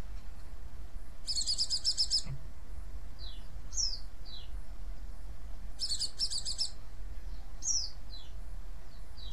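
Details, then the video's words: A white-eye gives two bursts of rapid, high, buzzy chatter with thin sliding whistled chirps between them, over a steady low rumble. This chatter is used to provoke other white-eyes into answering. "cuitan dan crecetan pleci ini ampuh memancing pleci lain nyaut"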